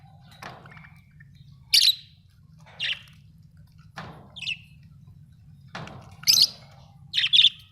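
Budgerigars give short, sharp chirps and scratchy squawks at irregular intervals.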